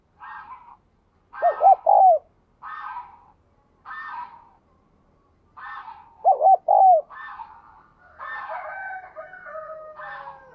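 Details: Captive spotted dove with a 'đồng kim' voice style, described as cooing very diligently, used to stimulate newly caught birds to coo; two deep, looping three-note coo phrases near two and six-and-a-half seconds, with chirping from other small birds between and after.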